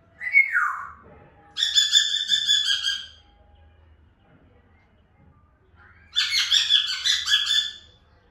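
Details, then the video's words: Grey parrot, an African grey, giving a falling whistle, then two long harsh, buzzy squawk bouts, each lasting over a second, separated by a pause of several seconds. "Natural parrot sound 😍🦜 مقطع تحفيزي لببغاء الرمادي الافريقي"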